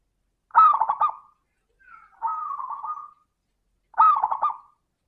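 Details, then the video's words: Zebra dove lure song to stimulate other doves to sing, in a clear crystal voice: two brief stuttering coo bursts around a softer, drawn-out rolling note. "Pancingan suara burung perkutut - suara kristal"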